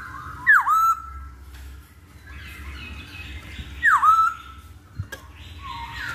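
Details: Masked laughingthrush, lure song for making birds start singing: two loud swooping whistles about three seconds apart, each dropping sharply then levelling, over a low background hum and soft rustling.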